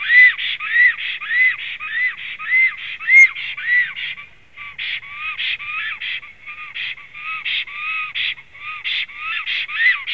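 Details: Black stork male on its nest, 3 April 2016, 15:24, giving a long whistling bout: arched whistles repeated rapidly, shifting midway into lower, overlapping notes with a more rasping, layered texture.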